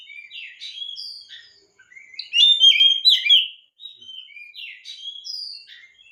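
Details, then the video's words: Oriental magpie-robin song used to prompt other magpie-robins to sing: varied high whistled and scratchy phrases, quieter at first, then a loud jumbled burst in the middle before softer warbling resumes. "PANCINGAN BURUNG KACER GACOR‼️BURUNG KACER ANDA IKUT GACOR PAKE PANCINGAN INI"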